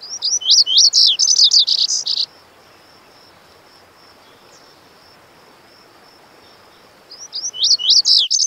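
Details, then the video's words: Lazuli bunting (Passerina amoena) of western North America's shrubby hillsides giving a quick, high, scratchy song of paired chirps and sweet notes, lasting about two seconds, then repeated after a pause. "The Melodic Song of the Lazuli Bunting"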